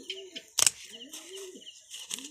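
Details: Kept pigeons from local and foreign bloodlines cooing indoors: low, smooth, arching coos that rise then fall, repeated several times, broken by a sudden loud clatter like wing flaps or a knock.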